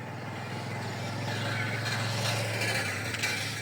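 Steady low mechanical rumble with rhythmic engine-like pulsing and faint clicks, no animal voice heard.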